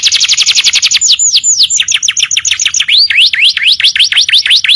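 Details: Canary tutor song used to train other birds: a fast buzzy trill of rapid repeated notes, then downward-sweeping whistles, then quick V-shaped rising-falling notes, each phrase a rapid series of identical syllables.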